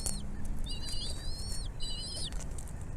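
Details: Two long, high, thin whistles, each gently rising then dropping at the end, from a bald eagle nest where the mother is feeding her chicks; quiet background with a brief chip at the start.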